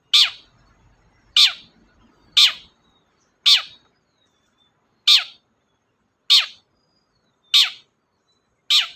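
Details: Long-tailed shrike, a lively bird recorded as a lure to stir a silent shrike into song. Rough, scratchy notes drop steeply in pitch and repeat at uneven intervals, about every second, eight in total, against near silence.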